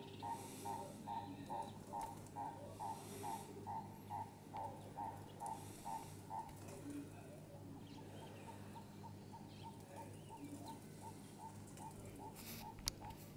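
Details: Growing helmeted guineafowl chicks give short, high peeps in a quick, steady series over a low hum.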